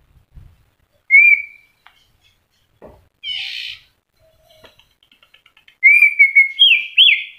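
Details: Moulting white-rumped shama, newly regrowing feathers yet still singing: a lone clear whistle, scattered soft clicks and a buzzy rasp, then a fast run of bright stepped whistles closing the phrase.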